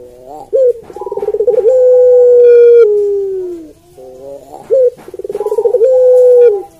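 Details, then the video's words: Two coos from a Barbary dove, locally called puter pelung. Each opens with a quick rising note and a rapid throbbing trill, then stretches into a long level note that glides lower at its end. "Suara Puter Pelung Merdu"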